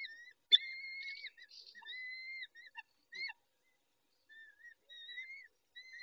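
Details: At a peregrine falcon nest where the male tends the females, 19:40, 23-05-21: a sharp click, then several stretched, slightly wavering whines and brief yelps, broken by quiet gaps.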